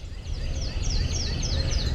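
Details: A Yellow-throated Warbler, heard but not seen in late March early in spring migration, the first warbler of the season, gives a quick series of high, clear, down-slurred whistles over low wind rumble.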